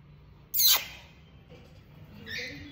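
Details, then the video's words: A pet talking red-collared lorikeet, answering its owner's "Do you love me?", gives one loud, harsh, downward-sweeping screech, then a softer, higher chattering note about two seconds later, over a faint background hum. "In conversation with Lorikeet"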